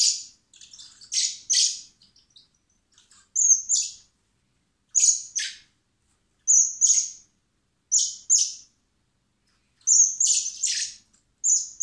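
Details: Common blackbird chicks hand-fed in spring at a rescue centre prior to release, begging with repeated pairs of thin high whistles and harsh rasps, roughly every one and a half seconds.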